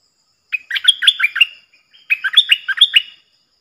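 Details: Stripe-throated bulbul decoy bird singing a doubled-style song, used to teach young birds and lure wild ones: two bursts of bright, quick, warbled notes jumping up and down, each about a second long, separated by a short pause.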